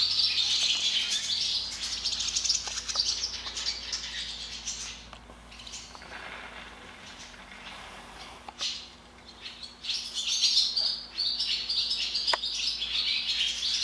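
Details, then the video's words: Many barn swallows swarming into an equipment barn through an opened door twitter together in high, rapid chirps and short warbles, a busy overlapping chatter that fades briefly midway, with some wingbeat flutter. "Invasion of the Barn Swallows"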